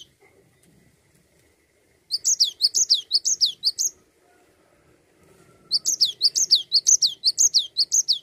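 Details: Cinereous tit delivering 'ngerol' continuous song to encourage other songbirds: after two seconds of quiet, two bursts of high, sharp-then-falling phrases, repeated rapidly about twice a second, separated by a short silence.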